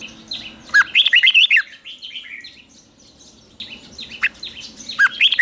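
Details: Morning singing of a red-whiskered bulbul used to train birds to sing in competition; a rapid, tumbling warbled phrase, a quiet pause, then several sharp chirps and another bright burst of looping notes.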